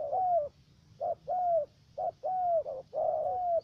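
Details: Ca Mau spotted dove used as a trapping decoy in the U Minh area of Vietnam, a three-note bird. Strong, clear coos of a quick short note before a long arching whistle, repeated about once a second.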